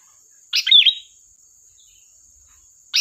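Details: Sooty-headed bulbul, lively song used as a lure and training master for bulbuls: one short bubbly chattering phrase, then another phrase starting at the end, over a steady thin high-pitched whine.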